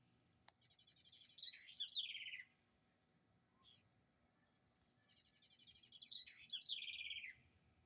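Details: House wren, known locally as garrincha or roxinol, said to sing in a distinctive way; two bubbly phrases, each opening with a rapid high trill, then dropping into a buzzy descending rattle, about three seconds apart, with quiet pauses between.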